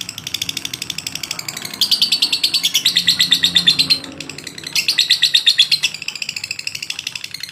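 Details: Lovebird in a long, persistent song used as training material: fast, high, shrill chirps repeated nearly three times a second. It has louder, denser stretches in the middle and near the end, and the background is quiet.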